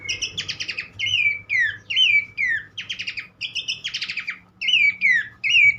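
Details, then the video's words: Horsfield's babbler song used as a prompt for other birds: repeated harsh buzzy rattles alternating with descending whistled slurs, in a steady rhythm roughly every half second. "mesti ikutan gacor burung pelanduk semak lain dengan terapi andalan ini"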